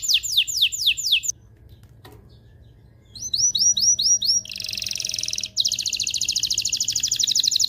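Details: Mating-stimulation canary song: downward whistled sweeps, a brief quiet gap, rising chirps, then two bursts of dense rapid high trilling.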